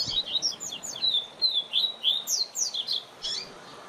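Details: Double-collared seedeater song used as a tutor for young birds. It is a steady string of quick, high, down-slurred whistled notes, about three per second, ending in a few higher chips.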